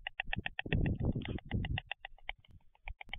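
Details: White stork clattering its bill, recorded 11 June 2023: a steady rattle of sharp wooden knocks runs throughout, partly masked midway by a burst of low, rumbling noise.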